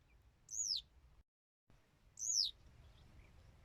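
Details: Two clear, high descending whistled notes from a Western yellow wagtail, about one and a half seconds apart, with a short gap of silence between them.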